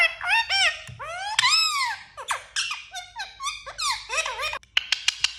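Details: Talking parrot producing a quick run of squeaky, speech-like syllables with arched, swooping harmonic contours, a few abrupt clicks and short gaps, in a small quiet room.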